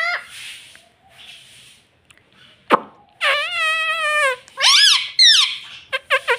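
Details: Pet parrot (tota) indoors, talking and said to say mummy and papa: a sharp click, then a long nasal, harmonic-rich utterance of about a second, followed by several shorter falling, squawky voice-like syllables in quick succession.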